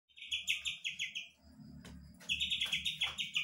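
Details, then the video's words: Young Medan-type White-rumped shama, big-bodied, singing kapas tembak mimicry material: bright trilled phrases near the high end, each burst of rapid notes repeated several times, with a pause mid-way and a low hum underneath. "MB medan usia muda kepantau isian kapas tembak"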